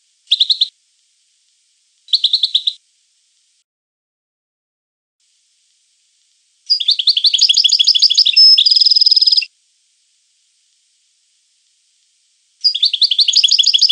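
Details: European goldfinch song in bursts: two short buzzy chirp groups, then a longer tinkling phrase of rapid twittered notes with a sustained whistle, then another twittering run; silent gaps between phrases.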